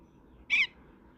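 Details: A common (Indian) myna gives one short, harsh, grating note lasting under a fifth of a second against a quiet background hum.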